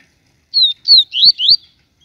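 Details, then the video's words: Papa-capim, or yellow-bellied seedeater, from Aracaju, Brazil, giving a loud, clear baiano-style phrase: two high down-slurred whistles followed by two rising sweeps in quick succession. "Papacapim baiano TUI TUI SHOW,esse passa canto"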